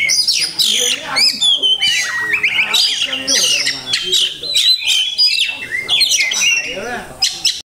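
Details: Oriental magpie-robin (kacer) delivering a song packed with masteran, phrases learned from other birds: a loud, nonstop stream of varied high whistles, rapid chattering trills and harsh squawky notes, each phrase changing quickly.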